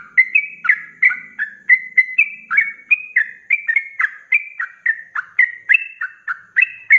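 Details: Sooty-headed bulbul (trucuk) in full voice, giving rapid-fire 'ropelan' song for training cage birds: a steady stream of short bubbly whistled notes, about three per second, rising and falling slightly, with a faint low hum underneath.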